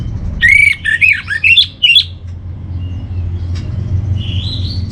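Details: Orange-headed thrush master song for training: a lively burst of loud, looping whistles and warbles with quick pitch slides, about five phrases in two seconds, then softer high notes over low hum.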